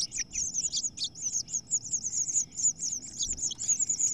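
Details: House finch nest disputed by two females, a new female taking over and ousting the chicks; a steady run of very high, squeaky chirps repeats several times a second with hardly any pause.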